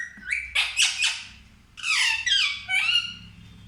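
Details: A pet parrot indoors producing loud, harsh, squawky speech-like phrases in two groups of several syllables each, high and rasping, separated by a brief pause.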